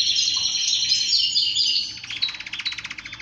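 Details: Male canary song used to stimulate other males to sing and get excited: bright, fast continuous warbling that shifts after two seconds into a pulsed, rattling trill of rapidly repeated notes.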